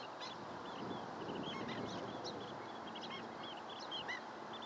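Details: A long-billed dowitcher group gives quick, high, piping notes in uneven clusters, with a clear louder call near the end, against steady background hiss.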